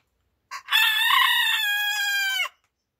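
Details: Rooster crowing in the morning: a short opening note, then a long loud harmonic cock-a-doodle-doo lasting about two seconds, ending in a falling tail, with silence around it.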